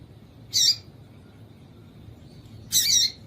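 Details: Yellow-bellied seedeater female, known locally as papa-capim, giving calls meant to excite males: two harsh, buzzy high notes about two seconds apart, the second longer, over quiet low background noise.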